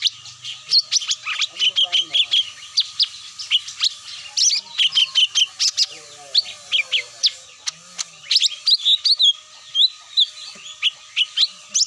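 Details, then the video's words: Cucak mini lure call, said to reliably bring the birds down: a dense, busy run of sharp high chirps and short whistled slurs, several voices overlapping, with a steady faint hum underneath. "SUARA ASLI PIKAT CUCAK MINI"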